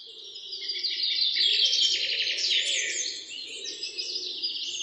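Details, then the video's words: Morning chorus of many birds: dense, overlapping high chirps, twitters and rapid trills, with a steady low murmuring band beneath throughout. "Relaxing Noise of Birds 🐦 in Morning"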